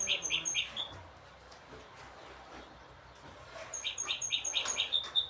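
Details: Goldfinch hybrid singing, from a set of several birds: a short burst of quick chirping notes, a quiet pause, then a longer run of rapid twittering notes ending in a sharp whistle.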